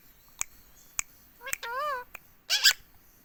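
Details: Pet green rose-ringed parakeet in India, kept saying "mummy" nonstop: a short arched, harmonic voiced sound near the middle, then a harsh burst, with sharp clicks spaced through the quiet room.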